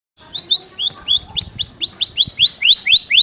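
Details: Canary singing a song tutored with Java sparrow (gelatik batu) phrases, fast and tight: high rising whistled notes accelerating into a steady series of sweeping downward slurs, roughly two per second.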